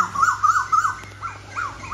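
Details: Asian koels trade quick, clear whistled notes that swoop upward, three or four a second, one bird loud and another fainter in reply, calling competitively in the evening, recorded 9/7/65.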